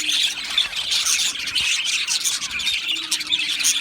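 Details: Many Australian budgies chatter together in an aviary, recorded 12 July 2025, with overlapping high chirps, rapid twitters and a few sharper squawks forming a constant bright chorus.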